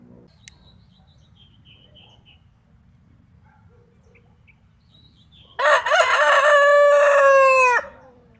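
After several seconds of quiet, a rooster lets out one loud, hoarse crow lasting about two seconds, held steady then dropping at the end.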